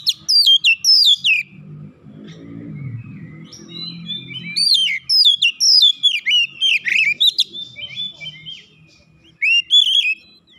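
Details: Oriental magpie-robin aggressively challenging a rival after one provocation, displaying its repertoire of learned phrases: volleys of sharp, steeply falling whistled notes, a lull with low rumbling background noise, then renewed bursts.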